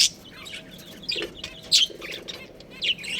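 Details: Budgerigars of a breeding pair give scattered sharp, high chirps in short bursts, with quiet gaps between calls and a faint low hum underneath.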